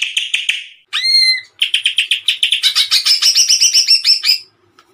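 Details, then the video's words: Greater green leafbird singing actively with strong bursts, meant as tutor song for other birds: a short buzzy rattle, one pure upslurred whistle, then a rapid series of harsh chipping notes that rise into a dense chatter. "CUCAK IJO GACOR TEMBAKAN MANTAP"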